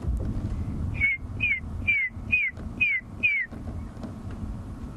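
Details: Red-crested Korhaan giving its mating call, fairly close, at sunset in a South African reserve in January: six clear, piercing whistles, each sliding slightly downward, about two per second, over a low vehicle rumble.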